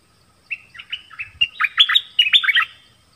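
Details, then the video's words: Nok dok taeng in a song duel with wild birds, delivering a quick phrase of about a dozen sharp, bright chirps and slurred whistles, rising and falling, packed closely over three seconds against a quiet background. "เสียงนกดอกแตงEp.24 ดวลเพลงเบิ้ลกับนกป่า"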